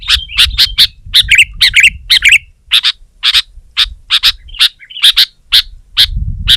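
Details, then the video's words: Sooty-headed bulbul singing hard against a rival, provoking other bulbuls to join in: a fast series of short, bubbly chirps and doubled notes, about two per second, with a low rumble of background noise at the start and end. "Suara Burung Kutilang Gacor Menekan Lawan Terbaik"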